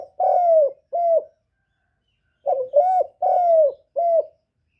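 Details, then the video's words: Spotted dove cooing, recorded to stir up newly kept decoy doves, giving low soft hollow coos in two groups of paired and triple notes with a pause between, in quiet surroundings. "Tiếng Chim Cu Gáy Hạp Bổi Gáy Gọi + Thúc+Gù kích bổi mau nổi"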